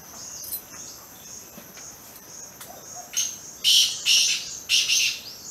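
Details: Plum-headed parakeet at Sattal, Uttarakhand: three loud, harsh, screechy calls, each about half a second, come close together near the end over a steady shrill drone of crickets.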